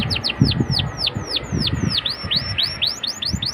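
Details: Young Atlantic canary lure song: a fast series of bright, sharply downslurred whistled notes repeated roughly every quarter second, over a low background rumble and murmur.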